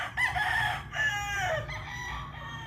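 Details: A rooster of the Cyborg Grey chicken breed gives a drawn-out, raspy crow with a rising start and a wavering, falling tail, over a steady low rumble.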